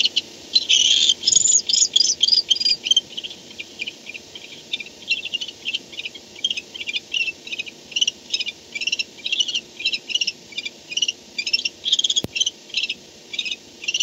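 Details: Nest-camera audio of barn owls at 4:38 am, 2-10-16, an owl having just come home; loud, fast high chattering in near-continuous pulses, strongest early, then steady rhythmic ticking runs with one sharp knock near the end.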